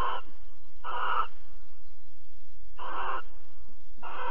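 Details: Harsh, noisy hisses from a barn owl during mating and cuddling, Alphen, evening of 22 April 2020: four broad screech bursts, two cut off at the edges, separated by quiet gaps over a faint hum.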